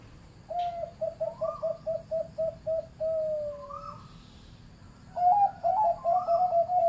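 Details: Zebra dove with a medium-pitched voice. A quick staccato run of soft cooing notes leads into a longer drawn note and a rising trill, then another rapid burst of bright, bubbling coos.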